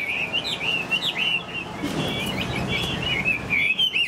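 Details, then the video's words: Pet Chinese hwamei, tail fanned and wings flicked, gives clear, sweet whistled notes. They glide and waver in a steady ribbon over a soft, constant background hiss. "Họa mi đuôi xòe chơi cánh, bóng bộ cực đẹp, hót vẩy đuôi khướu"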